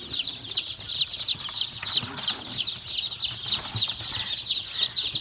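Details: Chorus of day-old country chicks on a poultry farm in the morning, fresh from the hatchery, with constant overlapping shrill cheeps, several per second, and faint low shuffling in the brooder.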